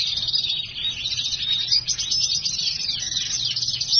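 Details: Black-hooded siskin and house finch hybrid, a caged songbird, singing a long continuous high twittering song of rapid warbled notes and buzzy trills without pause.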